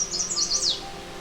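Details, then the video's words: Late May at McGregor Point Provincial Park near Port Elgin, Ontario, on the Huron Fringe along Lake Huron's eastern shore: a male Chestnut-sided Warbler only a few days on territory sings a fragment, a quick run of high, sweet slurred notes dropping away at the end. "This is the song of a male chestnut-sided warbler. He's only been on territory for a few days."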